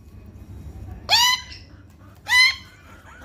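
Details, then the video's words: Eclectus parrot chicks give harsh, rasping squawks with a slight rise, two calls about a second apart, over a low background hum. "Eclectus Parrot Chicks"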